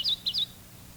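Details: Kentucky warbler two-noted chiree song, reviewed on an instructional tape: only a brief fragment of about three slurred whistled phrases, clear against quiet hum.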